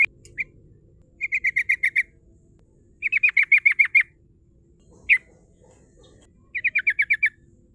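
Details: Rival-calling lure song of a sooty-headed bulbul in 'ngerol' and 'nembak' style: repeated bursts of five to eight sharp, falling chip notes, separated by single isolated notes and short silences.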